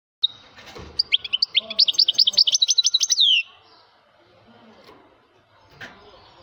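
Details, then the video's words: Male European goldfinch singing strongly: a rapid run of bright, high twittering notes and buzzy trills lasting about two seconds, then near silence with faint background rustling. "hassoun bird voice - ذكر حسون مقنين يغرد بصوت قوي - Voix de chardonneret -Chant Chardonneret"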